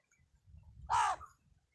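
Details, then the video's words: A single harsh, loud caw from a crow calling in a village, preceded by faint low rumbling background noise. "तुम्ही कधी कावळ्याचा आवाज ऐकला नसेल तर पहा, कावळ्याचा आवाज असा असतोय."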